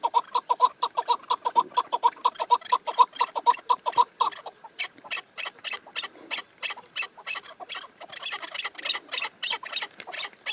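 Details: Chukar partridge calling loudly in rapid, rhythmic chuk notes, then switching to a higher, brighter series of repeated notes that carry on steadily to the end.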